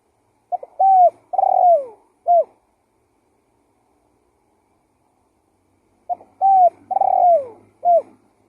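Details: Lure call of a spotted dove calling actively. Two phrases about five seconds apart, each a rhythmic set of four coos in which the third is longest and slides downward, with a quiet background.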